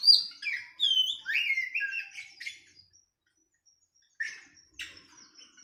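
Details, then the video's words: Oriental magpie-robin (kacer) training song for captive birds, paired with a sooty-headed bulbul (kutilang): clear slurred whistles and downward-sliding notes for about three seconds, then silence and two brief chirpy notes. "KACER VS KUTILANG || MASTERAN 2 MENIT LANGSUNG NYAUTTT"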